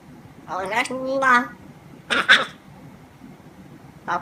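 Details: A talkative pet grey parrot, known for coughing, chatters a few voiced, word-like syllables in a human tone. It then gives two harsh, breathy cough-like bursts and a last short rasp in a quiet room.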